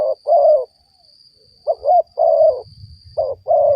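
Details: Spotted dove cooing as a trapping lure. It gives repeated paired coos, each a short, slightly wavering note followed by a longer, steady, soft one. Some low rumble comes in toward the end.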